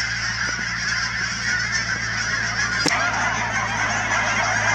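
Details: Thousands of Canada geese at the Cheam Wetlands near Chilliwack, British Columbia, keep up a constant jumble of honks. A single sharp click is heard shortly before the three-second mark, with a steady low hum behind.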